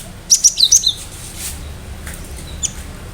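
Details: Cinereous tit singing in a lively style with sharp notes: one quick burst of four high, thin, clipped whistles that step downward, then faint scattered chips and soft background hum.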